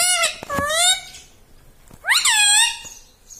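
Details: Pet green ringneck parrot speaking indoors: a squeaky, strained two-part word near the start, a pause, then a shriller phrase that rises and falls, with small tapping clicks between.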